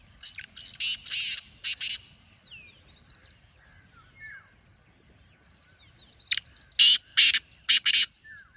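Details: Two grating call phrases from a black francolin, each of four to five harsh, squawky notes, separated by several seconds of soft whistles and chirps from other birds.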